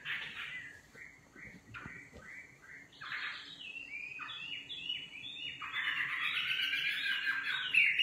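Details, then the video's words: Nightingale song built from varied phrases: buzzy notes, a quick sequence of short rising chirps, then a loud, dense trilling flourish swelling toward the end. "Singing nightingale. amazing bird song"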